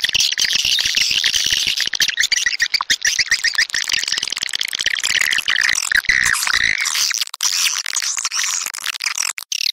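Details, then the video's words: Swiftlet calls: a dense, continuous high twittering chatter with buzzy, wavering notes, fading out near the end into scattered short chirps. "Suara walet"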